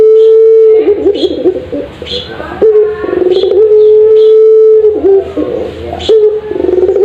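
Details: Puter pelung dove, a caged ringneck dove, recorded as master material for training doves. A sustained steady coo gives way to rapid warbling, trembling notes, then another long even coo. Soft high chirps sound in the background.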